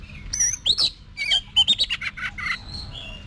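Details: Oriental magpie-robin in voice training for competition singing: a rapid run of varied whistles, rising and falling slurs, and short chattering notes, with a faint low hum behind.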